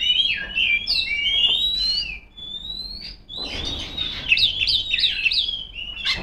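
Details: Female Oriental magpie-robin calling rivals with sweet rising whistles, a pause with one held note, then a quick run of repeated trilled chirps.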